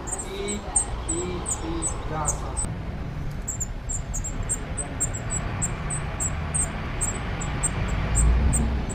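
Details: Nesting spotted flycatcher in an odd site among screws, Dombóvár, June 2017, recorded from a window hide with a GoPro. Rapid series of very high, thin ticks, a few per second, over a steady deep rumble that grows louder toward the end.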